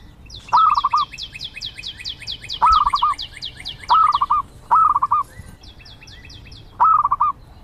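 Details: Zebra dove calls in short rolling coos of rapid pulsed notes, five in a row at uneven gaps, against high repeated whistled notes from another bird and steady outdoor noise.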